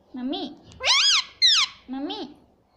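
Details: Pet rose-ringed parakeet kept indoors, talking and imitating the word "mummy": three harmonic, speech-like syllables, the middle two higher and arching, with short pauses between them in a small quiet room.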